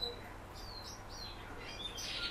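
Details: Kept common house martin uttering a few thin, high whistled notes, some rising and sliding, then a brief scratchy burst, all soft against a low hum.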